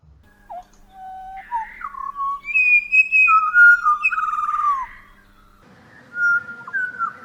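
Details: Pied Butcherbird in south-east Queensland, Australia, singing rich, flute-like whistled song phrases that step up and down in pitch, with short slurred notes, more melodic than the Grey and lacking its hollow sounds; a second, quieter stretch of whistles follows.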